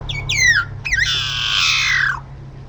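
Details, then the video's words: Long-tailed meadowlark vocalizing at Río Gallegos, Santa Cruz, southern Patagonia, Argentina: two quick descending slurred whistles, then a harsh, wheezy, buzzy drawn-out note falling at the end, over a steady low hum. "Leistes loyca vocalizando"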